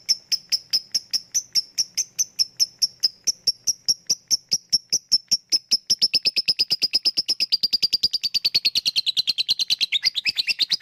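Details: Lovebird used as a lure for lazy birds, its 'ngetik' ticking speeding up into 'ngekek' song: high clicks at first spaced, then quickening into a rapid, dense chattering trill that drops slightly in pitch toward the end.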